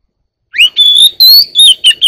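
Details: One-year-old Oriental magpie-robin singing: after half a second of silence, a rising whistle then a run of clear, loud whistled notes, sustained and sliding high, followed by short bright phrases in quick succession.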